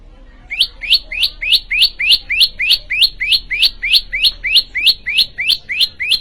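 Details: Prenjak lumut prinia in full, energetic song, giving a fast, very regular train of about eighteen loud, sharply rising chirps, just over three per second, clear and unbroken against a quiet background.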